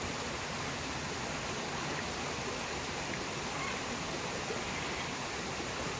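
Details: A steady roar of rushing water from a waterfall and stream fills the recording, with no animal calls audible.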